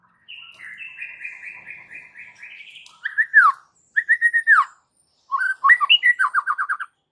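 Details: White-rumped shama in aggressive, raging fighting song used as a training master: a long buzzy rattling series, then loud downslurred whistles and rapid repeated clear notes in separate bursts, no other sounds.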